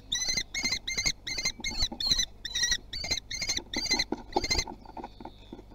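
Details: Common kestrel young at Théding, France, on 24 June 2020 while trying their wings; around ten loud, ringing, harmonically rich kee notes in rapid succession, then quiet rustling.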